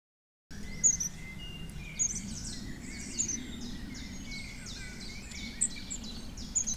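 Long-tailed tits give thin, very high 'see-see' notes and short buzzy trills, scattered irregularly, over a steady low rumble of background noise.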